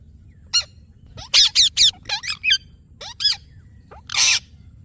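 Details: Rose-ringed parakeet with a quick run of loud, harsh screeches in clusters, some with rising and falling sweeps, ending in a broad noisy burst.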